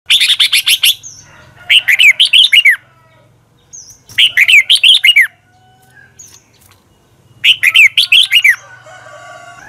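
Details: Red-whiskered bulbul singing in the morning, a long, twisting double-voiced song used for training birds, from 2020: three bursts of rapid, bright warbled notes rising and falling, each about a second long, separated by pauses.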